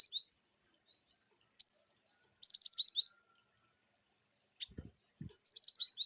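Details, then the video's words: Glatik batu, or cinereous tit, delivering varied 'wucit' phrases for training a young bird: bursts of rapid, high, slurred notes repeated in short runs with brief pauses, plus a couple of soft low thumps near the end. "glatik batu wucit2 bervariasi cocok untuk terapi glatik bahanmuu"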